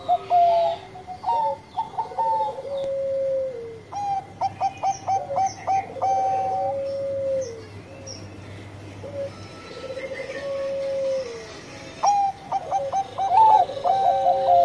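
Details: Melodious song of a Bangkok zebra dove, repeated in several rounds of quick clipped notes that each end in drawn-out coos; two voices sing at different pitches over a low hum.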